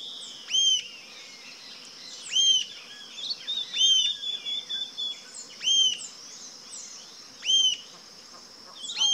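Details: Rufous-tailed jacamar calling steadily: six crisp, high, arched notes spaced roughly every 1.8 seconds, interspersed with faint twitters and chips, above a continuous thin insect whine.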